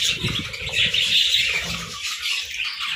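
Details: Short burst of chirping parakeets in the morning, thick high squeaky chatter over a bed of low rustling and fluttering.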